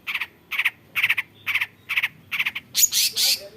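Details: Long-tailed shrike, a mimic of assorted bird voices, gives a steady series of grating, scratchy notes about twice per second, ending in a louder, noisier screech.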